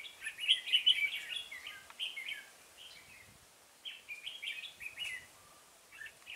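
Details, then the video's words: Red-whiskered bulbul recorded at Chua Huong, Vietnam, on 5 March 2018 during trapping with a decoy bird; short bursts of bright chattering phrases come in two groups, fairly distant, with quiet gaps between. "Bẫy chào mào Chùa hương"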